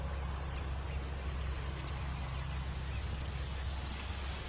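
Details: Common kingfisher hunting fish, giving four short, very high, thin piping notes spaced unevenly about a second apart over a steady low rumble of background noise.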